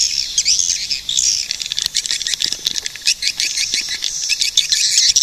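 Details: Swiftlet chattering in high, buzzy trills mixed with quick clicking chirps, the sound busy and almost unbroken.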